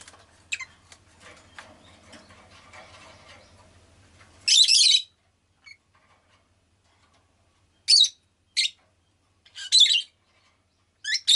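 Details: Rosy-faced lovebird kept as a pet, giving loud harsh screechy chirps in short bursts after about four seconds of quiet background hum and faint street noise, with calls spaced a few seconds apart.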